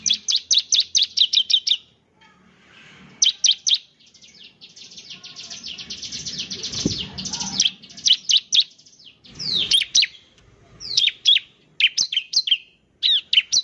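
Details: Bar-winged prinia ('semi', lively 'gacor' form) singing to prompt newly caught prinias: fast rattling series of high clipped notes, a long buzzy trill, then sharp down-slurred chirps in quick groups.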